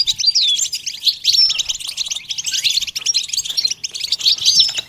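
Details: Goldfinch song from a training session: a dense, rapid chatter of high twittering syllables mixed with liquid downward-slurred whistles, going on without pause throughout.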